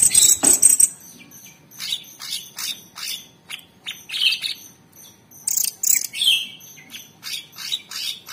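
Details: Cucak cungkok, or Orange-bellied Leafbird, caged and recorded as a training master in 'tembakan' style: a loud opening burst, then softer spaced chirps and short high trills.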